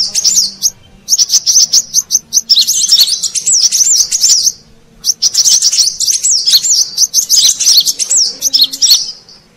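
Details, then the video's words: Bursts of high, rapid chips and squeaky warbles from a brown-throated sunbird lure recording for wild birds, with one clear pause midway. "Suara Pikat Burung Kolibri Kelapa Manggar"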